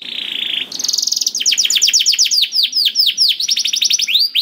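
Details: Canary song meant to coax a silent canary into singing: a steady buzzy tone, then a high flat whistle, then rapid repeated downward-swept chirps forming a rolling trill.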